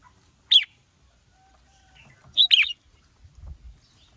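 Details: Red-whiskered bulbul, female provoking a male to sing fiercely: one sharp falling whistle, a pause, then a tight burst of chirpy warbled notes, with a faint low thump afterwards.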